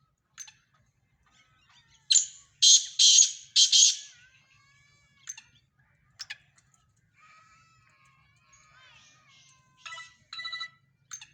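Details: Sindhi black francolin voices in a mixed recording: a cluster of four loud, harsh, buzzy squawks mid-clip, with scattered faint chirps, thin whistled notes and short scratchy bursts before and after.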